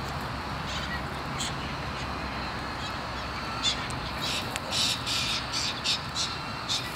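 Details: Long-billed corellas, white cockatoos with red collars, feeding relaxed on grass in the sun while staying alert for danger; harsh, broad screeching bursts repeat through the second half over a steady hiss of wind-like background noise.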